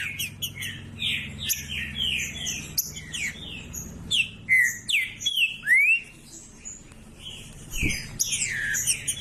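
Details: Green-winged saltator singing to excite other males, with quick overlapping whistled phrases, curved slurred notes and sharp chips, a few louder upward-sweeping whistles in the middle and a faint low background hum.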